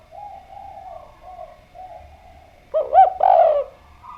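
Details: Actively singing spotted dove: soft, distant cooing at first, then a sudden loud burst of two or three hollow, bending coo notes near the end, over a faint constant hum.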